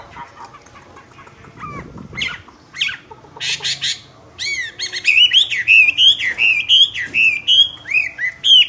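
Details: Myna singing loudly. Faint scattered chirps and rustling come first, then from the midpoint a run of strong whistled, wavering notes repeated at a brisk, uneven pace.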